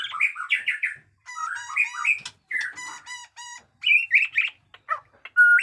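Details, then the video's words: Caged white-rumped shama, known for 'batuk koral' and 'muntah beling' song styles, pouring out a dense mix of buzzy chattering notes, harmonic nasal calls and short whistled phrases with brief pauses. "pesona AURA MURAI BATU JENGGOT DEWA fighter abis Batuk Koral, Muntah beling murai bisu ngikut nYaut"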